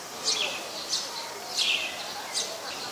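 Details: Olive-backed sunbird calling at home on 25 March 2021 around 4:45 PM: a few crisp, high notes sliding downward, spaced about half a second to a second apart, against faint hiss.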